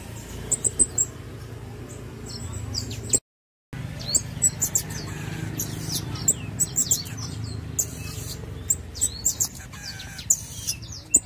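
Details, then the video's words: Pin-tailed parrotfinch singing: very high, thin, sharp notes and short twittering bursts scattered through the clip, over a steady low hum, with one brief silent gap near the middle. "Pin-tailed Parrot Finch Singing | Suara Burung Bondol Hijau Binglis"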